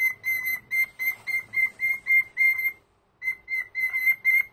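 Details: Senior pet cockatiel whistling indoors on a Sunday morning as a morning greeting: a run of short, bright, evenly pitched whistled notes about four per second, broken by a brief pause before the whistles resume.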